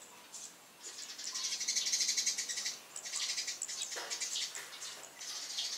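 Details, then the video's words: Eurasian tree sparrows on a house roof in the morning give a busy run of loud, high, dry chirps, several overlapping, about three a second with short pauses between bursts. "Burung Gereja gacor kicau riang"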